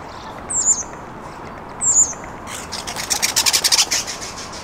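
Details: Courting starlings serenading under a bench, captured with an on-camera microphone: two loud, high, slurred whistles, then a rapid dry rattle of about a dozen clicking notes in quick succession.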